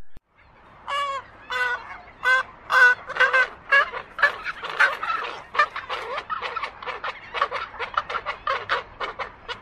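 Roseate Spoonbill giving a run of harsh, guttural clucking grunts. They start well spaced and quicken to about two per second, with no other sounds.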